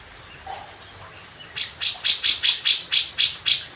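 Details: Grey-cheeked bulbul of Java, captured in the wild near Jember, East Java, five days earlier: after a quiet start, a steady series of scratchy, clipped notes repeated roughly four times a second.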